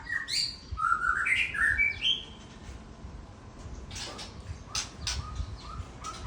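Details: White-rumped shama of Aceh stock in bursting song with fill-in phrases: a quick series of clear whistled notes stepping up and down for two seconds, then quieter rustling and faint notes.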